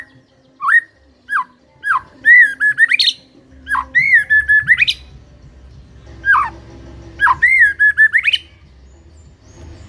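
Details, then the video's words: Loud whistled phrases from a white-rumped shama, short rising-falling notes repeated at intervals, ending in sharp upslurred flourishes, with pauses between phrases over a faint low hum. "MUTAI BISU SONTAK NGAMUK PLUS GACOR KOAR KOAR"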